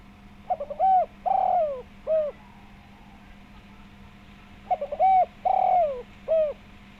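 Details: Spotted dove calling as a lure for other doves, in the rounded 'suara bulat' style. Two matching phrases about four seconds apart, each of short soft lead-in notes and then long, deep, rounded coos, over a steady low hum.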